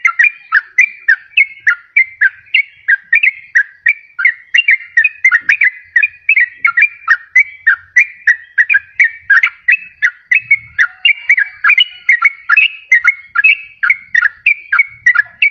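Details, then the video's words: Yellow-vented bulbul song used to lure wild birds and to spur quiet caged birds into singing: a steady, fast run of chirpy whistled notes, roughly three per second, with faint low rumbles in the background. "SUARA PIKAT BURUNG TRUCUKAN PALING DI CARI || BISA JUGA BUAT PANCINGAN TRUKAN MALAS BUNYI"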